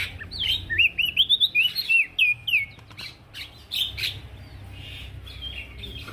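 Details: Male prenjak daun (prinia) singing actively, recorded as training material for crested opior birds: quick bursts of twisting, whistled chirps in rapid runs, then scattered softer notes.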